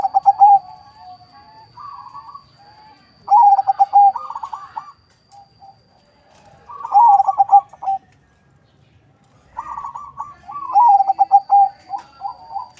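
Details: Several caged zebra doves of local-Bangkok cross on a breeding farm in West Java, kept for luring. Overlapping bouts of stuttered pulses and mellow coos come every few seconds. A faint steady high whine runs through.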